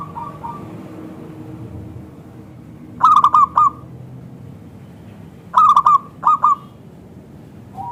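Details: Zebra dove of local stock, singing strongly with a thick crystal tone, used as a lure for other zebra doves: two clear phrases of clipped rolling coos about three seconds apart over a steady low hiss.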